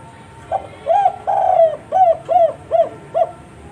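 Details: Spotted dove (tekukur or derkuku) calling vigorously in the 'kuk 4' style: a short lead note, a brief coo, one long drawn-out hollow coo, then four short rounded coos in steady succession, over faint background hiss.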